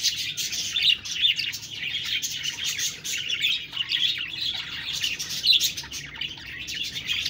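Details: Budgerigars chattering as a group: dense, overlapping high chirps and warbles run without a break, with brief louder bursts of twittering standing out from the steady chorus.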